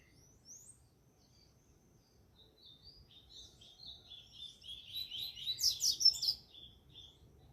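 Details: Double-collared seedeater singing in a bird singing tournament: high twittering phrases that start faint and sparse, then build into a loud, dense burst of rapid chirps and trills near the end before fading, over a quiet low rumble.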